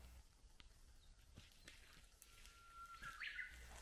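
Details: Japanese bush warbler singing in the Gotjawal forest of Gyorae Natural Recreation Forest on Jeju, South Korea: a long, steady whistled note, then a quick rising-and-falling flourish near the end. Faint forest ambience around it.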